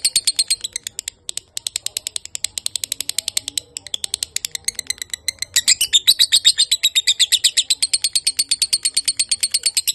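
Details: Lovebird singing at length: scattered quieter sharp clicks and chirps for five seconds, then a loud, fast, steady run of shrill high notes to the end.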